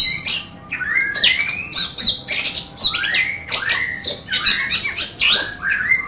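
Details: Oriental magpie-robin singing hard with rough fill-in notes, kept as a training and mental-test bird: dense run of sweeping whistles, downslurred notes and scratchy bursts repeated almost without pause.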